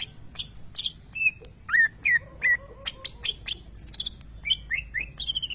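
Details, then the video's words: A prize-winning greater green leafbird sings its unique lovebird-like phrases: sharp high chips, slurred rising and falling whistles, and quick stuttering notes in a lively, varied sequence. "Cucak ijo nembak suara Lovebird"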